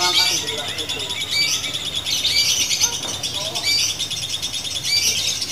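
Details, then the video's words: Locked song of a female fighter lovebird: unbroken high, buzzy twittering with sharp rising notes, faint lower chirps in the background. "Lovebird betina fighter ngunci!!! pitbull jedanya gak kalah ama burung konslet"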